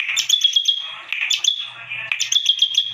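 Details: Rapid high chirping phrases from a bar-winged prinia in unusual song, each beginning with a scratchy note and running into quick repeated ticks, with a faint low hum behind.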